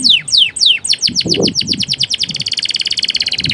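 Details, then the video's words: Male canary in full song, used as master song for training other canaries: a run of steep, whistled downward sweeps speeding up into a rapid, even, buzzy trill repeated several times per second, with faint low rumbling beneath. "Suara kenari jantan gacor"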